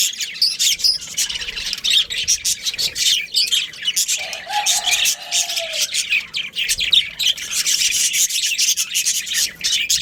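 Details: Budgies from a breeding pair and their family chatter constantly in fast, gritty chirps and warbles, with a lower drawn-out whistled tone in the middle stretch.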